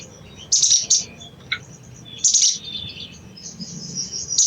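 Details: Chattering crimson sunbird, a call to trigger singing in other birds: two clusters of shrill, high chips, then a thin high trill trailing off, with low background hum.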